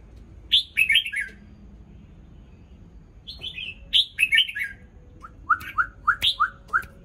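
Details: Morning song from a newly moulted red-whiskered bulbul: two loud warbled phrases of bright falling notes, then a steady run of six or seven lower, evenly spaced chirps.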